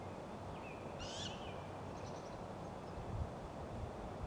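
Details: Great Grey Owl calling during a food delivery: a single high, raspy screech with a short upward whistled slide, then a faint trailing note, over steady low background rumble.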